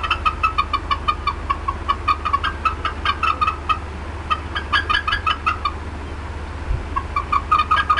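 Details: Mother bald eagle at the Decorah North nest, 18 April 2016, upset as something intruded on her area: long, steady runs of clipped, squeaky clucks about several per second, one short gap, and a low constant hum.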